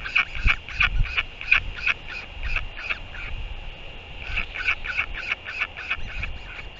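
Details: Royal albatross greeting with sky calls as the mother feeds her chick, New Zealand, 24 February 2023 at 4:29 PM; rapid pulsed harsh braying notes in two bursts separated by a short pause, with wind.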